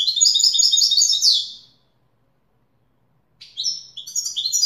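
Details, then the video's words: Widani-style song of a European goldfinch: a fast burst of high, tinkling twitters ending in a drawn-out buzzy note, then nearly two seconds of silence before another lively trilled phrase begins. "تغريد ويداني أصيل"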